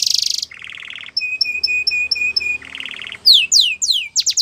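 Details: Belgian canary song for canary training: a harsh buzzy opening, a lower rattling trill, evenly spaced pure whistled notes, another rattle, then loud steep downward sweeps.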